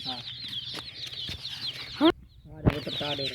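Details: Colourful baby chickens peep in a steady high chatter, broken by a brief pause, with lower harmonic clucks and faint human voices underneath.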